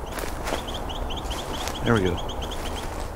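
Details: Carolina wren in winter during a Christmas Bird Count, giving a 'pete pete pete' type call, one of its many calls; a rapid series of short, high, evenly spaced notes runs throughout, while a man talks over it and footsteps sound.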